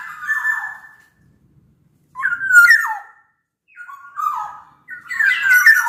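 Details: Large-bodied Sumbawa black-naped oriole giving slurred fluty whistles in separate phrases, the last phrase louder and more tangled. The recording is meant as a lure for orioles that sing little.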